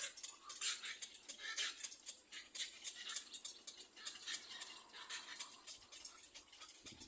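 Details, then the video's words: Little black cormorant chicks waiting for their mother to feed them give harsh, hissing rasps about once a second, overlapping into a steady, noisy chorus. "Little black cormorant baby Birds release while waiting for their mother to feed."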